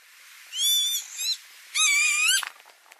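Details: Northern lapwing calling at tulip fields in Noordwijkerhout, Netherlands, in May 2018: two loud wheezy harmonic cries, the second rising then bending upward, with a shorter note between them, over quiet open-field background.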